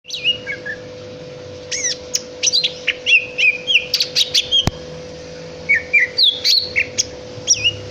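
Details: Greater green leafbird singing melodiously: a lively, varied stream of clear whistled slurs and sharp chirps, many notes sweeping up and down, delivered in quick bursts with brief gaps, over a steady electrical hum.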